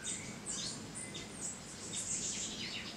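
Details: Saw-billed hermit (Ramphodon naevius), one of the world's largest hummingbirds, giving thin, high, squeaky chips scattered through the clip, with other high chirps overlapping against a soft forest hiss.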